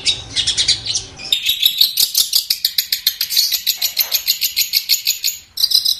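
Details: Long-tailed shrike, called cendet, in sustained song: a rapid, dense stream of high chattering and trilled notes pouring out almost without pause, then a short break and a final burst.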